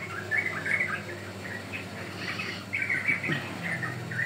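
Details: Sooty-headed bulbul song for luring or training: soft, bubbly chirped phrases, somewhat faint, rising and falling in loose bursts over a low background hum.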